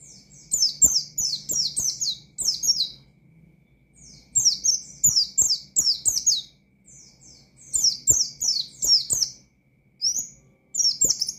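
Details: Energetic Oriental white-eye song in the wild 'ngalas' style, calling to rivals: runs of thin, bright, downward-sweeping whistles grouped in two- to three-second phrases with pauses between, faint tapping underneath.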